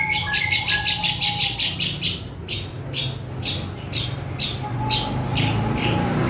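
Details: Long-tailed shrike from Java, kept caged, delivering imitated phrases repeated at length: a rapid series of harsh, scratchy notes, about two per second, then slower spaced bursts with a thin whistled tone behind.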